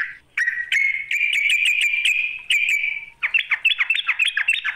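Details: Calling to draw out a rival, a sooty-headed bulbul delivers a sustained rasping buzz for almost three seconds under crisp high ticks, then switches to quick chattering rising notes repeated several times per second.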